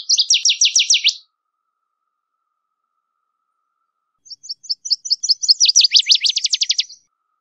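Two loud, ringing bursts of Northern Waterthrush song: rapid, high, sharply repeated notes that speed up and end in lower, slurred chips. No other sounds.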